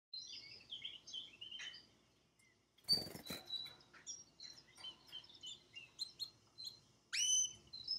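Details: Male pet canary singing live in front of a television, with varied chirps and warbled notes, a brief harsh broadband burst near the middle, then a rising whistled note.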